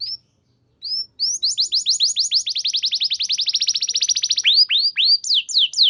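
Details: Canary singing to set off other canaries: two short upslurred whistles, then a long fast trill of rapidly repeated notes speeding up, ending in louder falling swoops.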